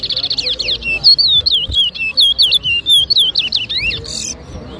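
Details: Competition song of a chestnut-bellied seed finch, or towa towa, at Rosehall, Guyana, 2023: a quick trill leading into a clear, looping run of high sweet whistles rising and falling, ending in a buzzy note.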